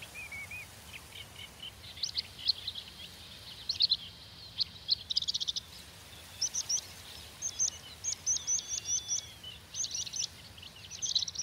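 A Water Pipit gives thin, high, sharp chirps in quick irregular bursts, some run into brief trills, over faint steady background noise.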